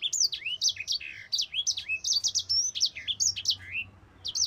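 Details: Mozambique canary pouring out a long rolling song for training birds, continuous quick high whistles, sweeps and chips with barely any gaps.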